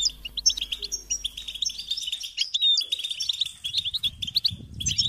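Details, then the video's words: European goldfinch chicks give a shrill, persistent begging call to draw parents bringing food. Rapid chirps and twittering run almost without pause, with low rumbling noise rising near the end. "unique experience in stimulating goldfinch and chirping birds"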